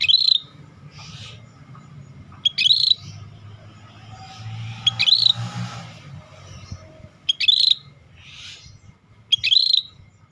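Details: Scaly-breasted bulbul in full song, called rare: five high phrases spaced two to three seconds apart, each a quick sharp onset into a trilled, buzzy whistle, with softer calls between and a low rumble behind.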